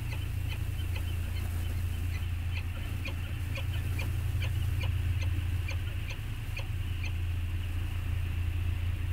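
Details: Bonding peregrine falcons at Anacapa on 14 August 2021, on a wildlife camera: a quick regular series of clipped, chipping notes, heavily masked by constant wind roar.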